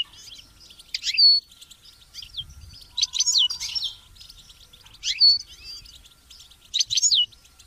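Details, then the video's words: European goldfinch and chicks chirping, recorded to motivate goldfinches to sing: scattered short bursts of high, sharp twitters and chips, several seconds apart, over a quiet background. "Memorizing Training and Motivating Goldfinches and Chicks Chirps"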